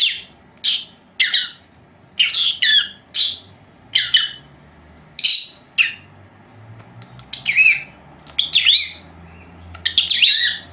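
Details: Four-month-old pair of female lovebirds kept at home, napping; quick high chirps and harsher squawks, some singly and some in tight clusters, spaced irregularly over a soft indoor background hum.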